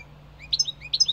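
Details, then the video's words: European goldfinch singing: a brief run of short, bright chirps, slurred upward and downward, clustered in two quick groups over about a second, clean and high with only a faint low hum beneath. "Goldfinch singing -Stieglitz song- Carduelis - Jilguero - Щегол - Kадънка - طائر الحسون"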